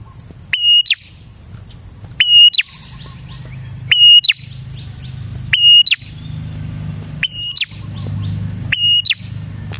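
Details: Prinia song used to attract prinias. Six evenly spaced phrases of a click, a steady high whistle and a falling note run over a growing low engine-like drone.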